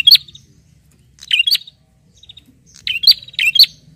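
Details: High, sharp chirps from a bar-winged prinia calling a rival come in three short bursts, with a softer ticking trill trailing after the notes.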